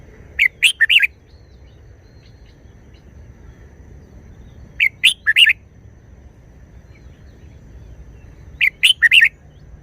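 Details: Red-whiskered bulbul delivering a short wild-style song, sung diligently: three brief bursts of four to five clear, warbling whistled notes, each burst repeated roughly every four seconds with quiet pauses between and a soft low hum underneath.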